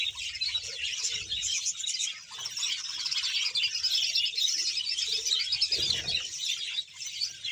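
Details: A hundred-strong budgerigar breeding colony in Bahawalpur, Pakistan, heard as a continuous bright twittering of many birds, sharp chirps overlapping without rhythm, plus a brief low knock midway.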